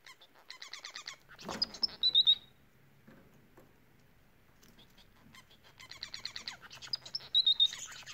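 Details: Singing Bengalese finches deliver rapid rattling buzzes that build into sharp high whistled notes, two song phrases separated by a few quiet seconds.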